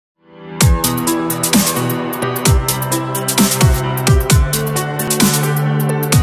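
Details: Electronic drum and bass music with heavy pounding beats and layered synth tones throughout, with no animal voice heard.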